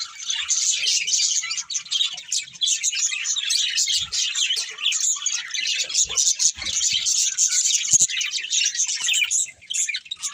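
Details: Budgerigars, a breeding pair, chatter continuously for ten seconds: fast, high, grating warbles and tweets tumbling together, with occasional soft low taps.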